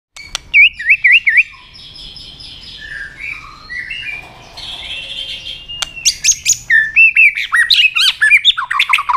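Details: Caged white-rumped shama being stimulated to fight-sing, loud varied song of wavering whistles, slurred warbles and rapid clicking chatter, with a quieter, softer middle passage and a burst of sharp repeated notes toward the end.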